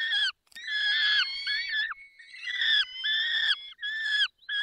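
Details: At feeding time, 10:22 on 20 May 2021, Barycz Valley, a peregrine falcon gives long, strained wailing calls that are harmonic and partly overlapping. A thin, steady whine runs beneath them, and the calls break off sharply at the ends.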